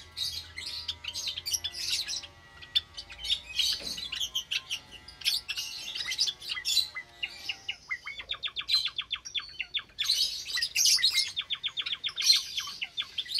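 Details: Java sparrows chatter as a busy flock in an aviary cage on a Sunday morning, 8 May 2022, where many chicks have recently hatched: sharp high chips and overlapping tinkling notes, with bursts of quick ticking runs.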